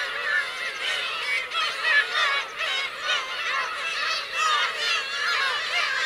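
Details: Parents and chicks of black-tailed gulls at Kurosaki coast, Teuri Island, Hokkaido, Japan, recorded 17 June 2021; a crowded chorus of curved, mewing, goose-like cries rising and falling in waves of loudness.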